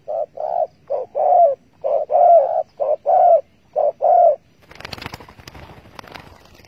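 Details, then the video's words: Spotted dove heard during bird trapping with bare bait, dated 15 August 2020: a loud series of short mellow coos around the same low pitch, grouped in quick bursts, followed by rustling and knocking handling noise. "Bẫy cu gáy bằng mồi trần cực đỉnh"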